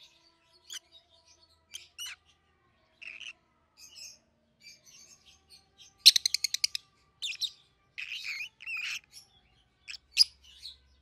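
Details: Young captive peach-faced lovebirds, a red-headed green opaline and a red-faced dark green aged 7-8 months, chatter in squeaky scattered chirps, with a rapid stuttering rattle of notes midway and a faint low hum underneath.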